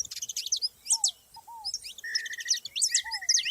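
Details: Wild saffron finches in a group, giving quick high chirps and slurred notes in bright bursts, mixed with a soft double down-slurred whistle from another bird and a brief buzzy trill.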